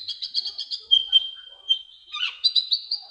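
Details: High-pitched singing of an olive-backed sunbird (kolibri ninja), a tutor recording: rapid twittering notes, a drawn-out thin whistle, a scratchy burst, then another quick run of sharp twitters.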